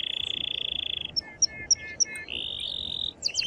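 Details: Excited male canary singing to stimulate a female to mate and for chicks to hear: buzzing fast trill, four spaced sharp clicking notes, a smooth steady trill, then quick upswept notes, with background hiss.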